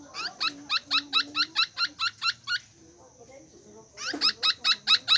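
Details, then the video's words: Rapid run of short, ringing, harmonic bird notes repeated about twice a second, pausing for a second of near quiet before the same clipped notes resume louder; soft low rumble in the background. "Suab noog lom sab/sound of bird"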